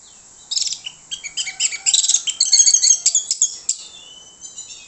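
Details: Orange-headed thrush singing a lure song meant to provoke other thrushes: a rapid, varied burst of high chirps, short trills and sharp notes, densest in the middle and trailing off into scattered notes.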